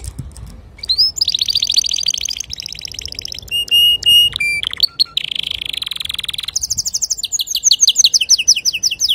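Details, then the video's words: Male canary singing to teach young canaries. A varied run of tours: rolling high trills, metallic repeated notes, a short sliding whistle, then rapid upward-sweeping chirps repeated in quick series. "تغريد ذكر كناري صافي لتعليم صغار الكناري"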